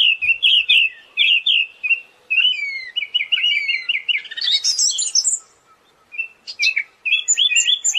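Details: Siberian thrush as a training song for birds: a long chain of rapid, chattering warbled notes at steady pitch, rising into a dense high burst, then scattered whistled fragments.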